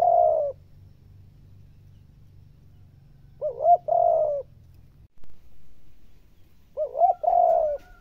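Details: Spotted dove coo used to stimulate even the most reluctant decoy birds to coo: three soft, mellow two-part phrases, a short lilting note then a longer steady coo, spaced about three and a half seconds apart over a faint low hum.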